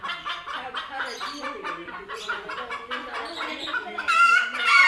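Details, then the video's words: Several chickens scared after seeing cats for the first time, screaming loudly amid panicked flapping. Dense overlapping harmonic clucks and squawks tumble out about twice a second, building to louder, harsher shrieks over the final second. "Scared Chickens Scream Loudly After Seeing Cats for the First Time!"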